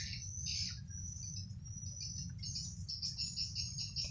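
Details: Swiftlets returning to their nest house give thin, high chirps and twitters in quick repeated bursts over a steady low hum.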